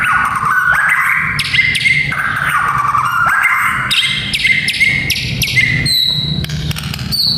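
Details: White-rumped shama song used for training young fighting males: repeated sweeping whistles curving up and down, mixed with harsh crackles, ending in high clear notes, over steady low hum.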